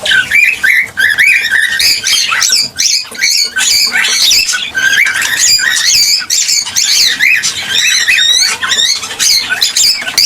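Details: Cockatiel song played to stimulate a pair to mate and breed: a loud, dense stream of chattering and warbled whistles with rising and falling sweeps, continuous throughout.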